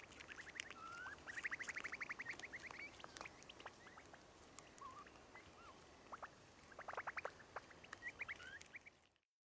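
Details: Dark-backed wood-quails, endemic and vulnerable, visiting a feeding station near a house in a Chocó forest reserve in Ecuador: a fast series of repeated mid-pitched notes in bursts, with slurred whistles between, faint against forest background.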